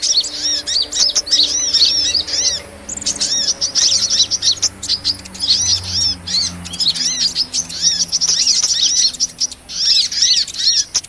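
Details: Hummingbird sound used to lure small birds into traps; excited, high twittering bursts of arched chirps and ticks, with a faint low hum underneath in the first half.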